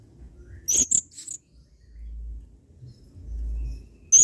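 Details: Adult male blue-crowned hanging parrot in full song, 'main singa' style, kept as a training tutor for other birds: a quick cluster of sharp, thin, very high chips, a pause, then another shrill note at the end.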